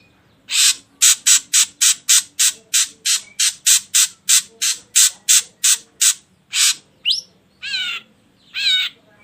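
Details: Ashy drongo, used to coax other birds into song, giving a fast run of about twenty harsh, scratchy rasps, then a rising whistle and two wavering nasal calls.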